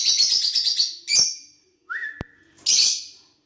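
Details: Lovebirds calling to one another: a rapid burst of harsh chirps, then a sharp screech, a short level whistle and a sudden click, followed by another loud rasping squawk.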